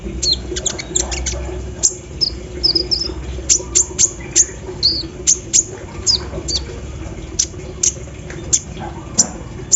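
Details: Morning song of a caged sunbird, or kolibri ninja, sprayed with dew and singing hard in a style packed with embroidery-machine mimicry: rapid high squeaky ticks, brief warbled twitters, then evenly spaced piercing chips.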